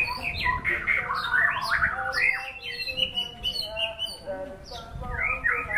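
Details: White-rumped shama pouring out rich warbled phrases, then softer scattered whistles and a closing series of rapid downswept chirps.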